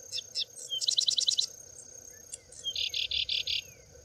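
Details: Sedge wren (Cistothorus platensis), which sings with its tail held fully upright, singing in preserved open grassland at Campos do Alto Rio Doce, Pitangueiras, rural Prados: quick ticking notes, then about six buzzy trilled bursts over a steady high insect drone.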